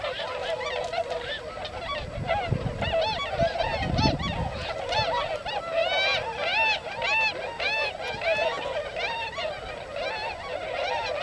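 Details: Wintering flock of tundra swans gathered in rice-field country near Yasugi, Shimane Prefecture, Japan; dense chorus of shrill, bugling honks repeated rapidly and overlapping, with low rumbling background noise.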